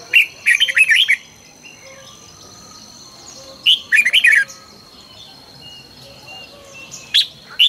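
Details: Red-whiskered bulbul in morning song training, delivering short bubbling warbled phrases roughly every three seconds, each of several quick liquid notes, with faint softer chirps and a steady high hiss between.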